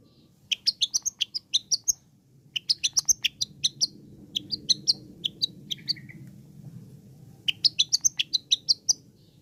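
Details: Long-tailed shrike song played to provoke other shrikes: rapid trains of sharp high chipping and clicking notes in bursts separated by brief gaps, over a steady low background rumble.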